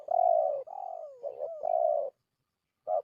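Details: Loud, clear spotted dove lure call used to attract wild doves: three long hoarse coos, the middle one gliding downward, followed after a pause by a single short coo.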